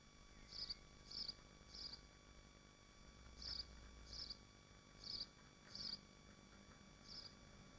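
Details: Swifts nesting in Machynlleth within the Dyfi Biosphere give eight brief, high-pitched rasping bursts in loose clusters, with pauses between the groups, against a constant low hum from the nest livestream.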